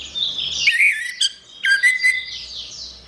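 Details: Orange-headed thrush in a songbird training recording, delivering a brief burst of loud, varied whistles and slurred notes with a short gap in between, over soft high-pitched background chirping.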